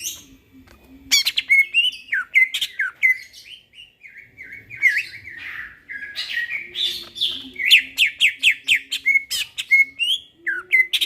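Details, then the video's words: Greater green leafbird singing at night, a long, varied flow of sweet whistles, mimicked chirps and sharp repeated notes, some in rapid runs, over a faint low hum. "burung cucak ijo bunyi tengah MALAM GACOR"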